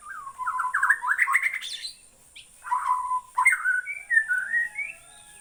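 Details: White-rumped shama from Borneo in loud, varied song: a rapid run of rich warbled notes climbing in pitch, a pause, then fluty whistles and slurred phrases stepping up and down.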